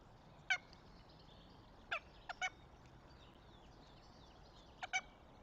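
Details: Goshawk nest in Tartu, Estonia, 26 April 2025; the northern goshawk gives loud, harsh, nasal calls in short pairs and singles, about six notes, with quiet songbird chatter behind.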